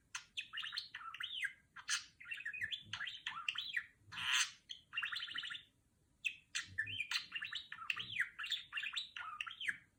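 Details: Talking female budgerigar kept as a pet, mimicking R2-D2 from Star Wars with rapid zigzagging electronic-like warbles and chirps in bursts of one to two seconds, one harsh noisy squawk near the middle, separated by short silences.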